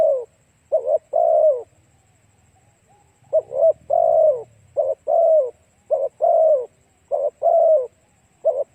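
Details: Spotted dove lure cooing meant to attract other doves: soft four-note coo phrases repeated almost back to back and partly overlapping, each ending in a falling coo, with a faint low rumble beneath.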